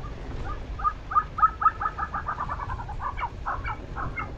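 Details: A Tibetan snowcock calls while taking a snow bath in Ladakh. It gives a hurried series of short, hollow, clucking notes, loud at first and then tumbling faster and softer. A few spaced, higher notes trail off over faint background hiss.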